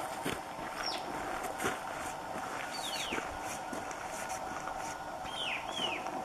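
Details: White-capped Tanager in humid montane forest at Abra Patricia, northern Peru, gives a few high, arched, slurred whistles spaced a second or two apart, over rustling, clicking handling noise and faint voices.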